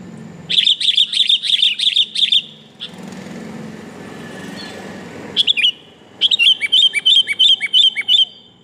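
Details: Lure call of a female sooty-headed bulbul calling the male: rapid, evenly spaced sharp chirps in a burst, a noisy engine-like lull, then a second chirping series.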